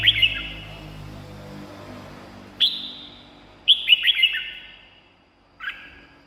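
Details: Red-whiskered bulbul song played to excite caged birds or lure wild ones: sparse bursts of sharp, falling whistled notes with quiet gaps between, and a low hum in the background.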